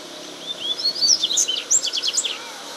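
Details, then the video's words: Wild double-collared seedeater in natural habitat, singing a bright, high phrase of slurred whistles that speed into a run of short, sharp repeated notes, against a faint background hiss. "Coleiro Cantando Na Natureza"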